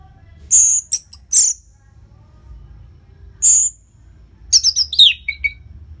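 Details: Orange-headed thrush song, a training recording for caged birds from Bali, Indonesia: loud high phrases of sharp whistled and chattering notes in short bursts separated by pauses, with faint low background hum.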